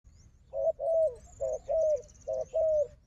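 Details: Wild dove, described as a strong fighter, answering a strong decoy dove: low mellow coos in short-then-long pairs, three pairs in quick succession, with faint high thin bird notes overhead.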